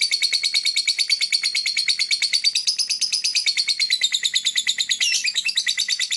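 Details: Lovebird singing and chirping: a fast, unbroken stream of high, shrill chirps, about three per second, running steadily throughout, with a brief twittering flourish near the end.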